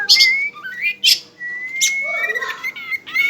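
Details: Caged pet Oriental magpie-robin of the togar type singing: loud clear whistles, some held level and some slurred upward, broken by sharp high chirps and brief squeaky notes in quick, varied succession.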